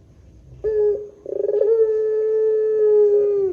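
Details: Barbary dove, the long-cooing 'pelung' type, used as a lure to set other doves calling: a short clear note, a quick rolled burst, then one long steady, even coo held for about two seconds.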